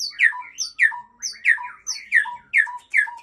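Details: Aceh white-rumped shama repeating one short phrase six times at steady intervals. Each phrase is a high sharp note dropping through a bright whistle to a lower slurred tone.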